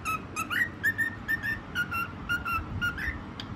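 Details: White cockatiel singing: a run of clear whistled notes, most held steady, a few sliding upward, repeated roughly twice a second with a faint low indoor background hum.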